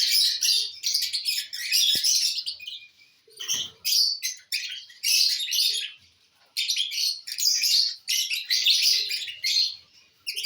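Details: Lovebirds eating corn on the cob make shrill, high, rapid chirping in bursts a second or two long, broken by brief gaps, with a single click and a low knock.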